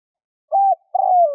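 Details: Spotted dove calling to lure wild doves, giving a short even coo followed after a pause by a longer, slightly falling purring coo.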